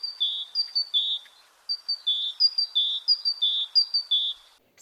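A Great Tit sings bright, ringing two-note phrases, a high note dropping to a lower one, repeated quickly in a steady run over a faint background hum.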